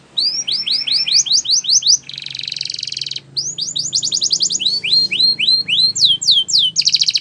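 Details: Spanish Timbrado canary singing a training song: a series of rising whistled notes, a long ringing metallic roll, faster swept phrases, and a final quick rattle.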